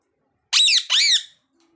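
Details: Parrot giving two harsh, grating screeches in quick succession, each about a third of a second long, loud against a silent background.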